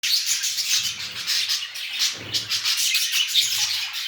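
Budgerigars chatter in a dense, scratchy stream of high chirps and warbles.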